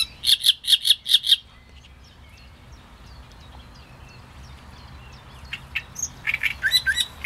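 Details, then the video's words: Great reed warbler song opening with a burst of five loud, rasping notes, then a pause with faint background before harsh chatter resumes. "Trzciniak i jego śpiew"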